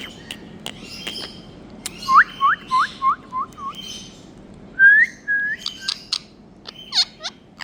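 A pet rose-ringed parakeet gives a quick run of five short rising whistles, then longer slurred whistles mixed with sharp clicks and chirps.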